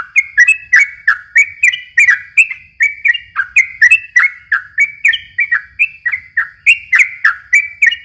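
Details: Yellow-vented bulbul singing steadily, a lure for young birds: lively chattering phrases of short warbled notes, quick and continuous at roughly three per second, with faint clicks above.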